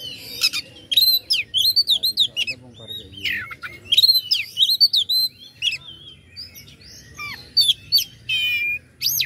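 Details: Oriental magpie-robin lure song meant to raise rivals' aggression: dense runs of clear whistles, quick chattering notes and looping slurs, closing with a fast buzzy rattle.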